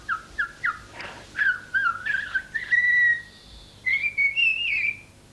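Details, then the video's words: A young pet common starling in Corsica, resting in its cage after a bath, whistles La Marseillaise: three short clear notes, then longer sliding phrases that climb in pitch at the end. "un étourneau sansonnet qui siffle La Marseillaise"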